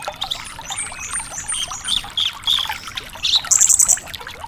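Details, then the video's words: Javan bush lark singing nonstop, recorded as a tutor song to get untrained larks to respond: rapid, varied high chirps and short trills, closing in a bright burst of very high repeated notes, over steady background hiss. "Masteran Suara Burung BRANJANGAN GACOR DOR"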